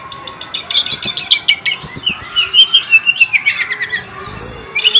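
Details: Songbird in full, energetic song: rapid varied chirps, trills and short whistled notes tumbling over each other, loud and continuous, with a few clicks in the background.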